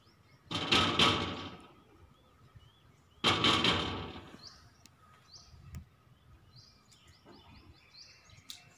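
Two loud, harsh peafowl screams about three seconds apart, followed by thin high chirps from small birds against quiet outdoor background.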